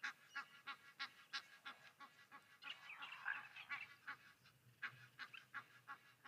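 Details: Egyptian geese and their grown goslings on the left side of Okaukuejo waterhole, Namibia: rapid, irregular short honking, roughly three calls a second, swelling into a louder, denser burst midway before settling back into steady pulses.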